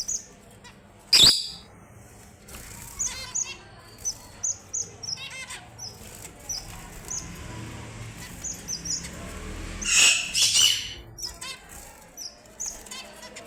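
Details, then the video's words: Strawberry finch or red avadavat giving scattered high thin whistles and short buzzy notes with quiet gaps, broken by loud knocks and a rustling burst partway through. "The Sweetest Sounds of the Strawberry Finch & Red Avadavat"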